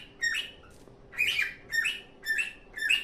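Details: Happy singing from a pet cockatiel, loud rising-and-falling chirped whistles repeated roughly every half second, each note slightly buzzy and bright.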